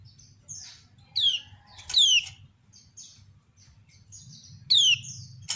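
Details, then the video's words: Kept female kecial kuning, a Lombok white-eye, calling and other birds replying: loud downward-slurred whistles, short high chirps, sharp clicks and a low background hum throughout. "Ciak Betina Burung Kecial Kuning Memancing Bunyi Banyak Kecial lain Nyaut"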